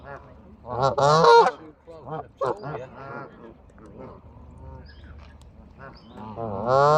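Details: Geese in Bramhall, England, UK, giving loud, nasal, harmonic honks in a burst around the first second, then shorter honks spaced through the clip and a final strong honk at the end, with low background rumble.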